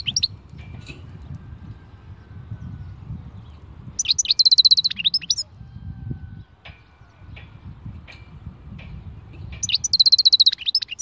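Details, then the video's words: European goldfinch song of the khalwi style, two bursts of rapid, tinkling, buzzy twitters with scattered single chirps between them, against a faint low hum. "Chant chardonneret khalwi"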